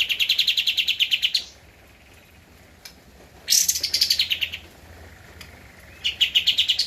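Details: Javan white-eye (kapas tembak), a cage bird singing energetically on a master recording for training cage birds: three bursts of rapid, high, pulsed notes, each starting sharply and settling into an even trill, with short quiet gaps between.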